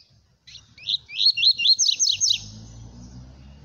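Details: Coleiro, a Brazilian songbird kept as a singer, delivering a fast song: a rapid run of bright, rising, repeated whistled notes about three per second, then the phrase stops and faint low rumble remains.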